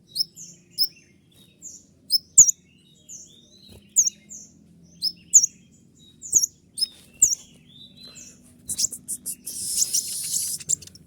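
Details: Kolibri ninja sunbird repeating sharp, very high slurred chirps about every half second in its shrill 'tembakan' song, ending in a dense, hissing burst of rapid notes.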